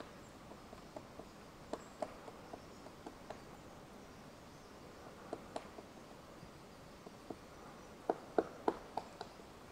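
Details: Magellanic Woodpecker foraging high in a tree in Patagonia National Park, southern Argentina, in the morning: distant soft, sharp wooden pecking taps at an uneven pace, bunching into a quicker run of knocks near the end, in quiet forest.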